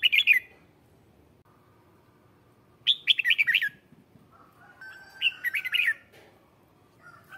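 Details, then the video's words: Red-whiskered bulbul lure song to summon wild birds: three bursts of fast, chirpy whistled notes, while other thinner, level whistles and a steady tone from other birds sound in the background. "Tiếng chào mào mồi hót gọi bổi má trắng, kích bổi sổ bọng hót căng lửa"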